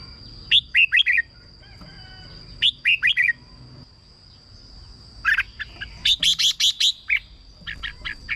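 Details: Red-whiskered bulbul singing, a recording played to rouse caged birds or used as a decoy; clusters of quick chirpy whistled notes come in bursts with pauses between, against a constant thin high-pitched whine.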